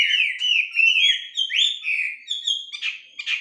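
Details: Caged wambi, a melodious laughingthrush in song training, gives a stream of sweet wavering whistles and upward slurs, finishing with two short harsh notes.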